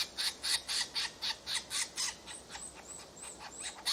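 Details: Woodpecker nestlings during feeding: a rhythmic series of rasping, buzzy calls about four per second, growing weaker toward the end, with a few thin, high whistled notes and constant background hiss.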